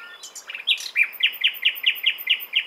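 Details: Common nightingale singing a few mixed notes followed by a clear series of loud, evenly spaced repeated notes, about four per second.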